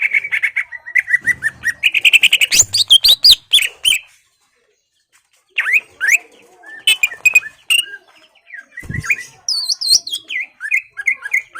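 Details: Greater green leafbird song meant to provoke a rival into fighting: repeated whistled notes and fast chatter, a short silence, then varied sweeping and looping whistles.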